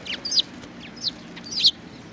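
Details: Sparrows flocking to food at a Tenmangu shrine, 19 April 2019: three sharp, slightly descending chirps spaced roughly 0.6 seconds apart, with fainter chirps from other birds between them.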